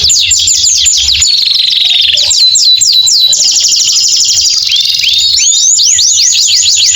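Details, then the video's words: Canary in full, long song, of the kind used to prompt post-moult canaries that have stopped singing: dense, loud, continuous high trills of rapidly repeated downslurred notes, shifting between rolling phrases and buzzy sustained passages without pause. "Kombinasi KENARI GACOR PANJANG cocok buat TERAPI KENARI MACET BUNYI"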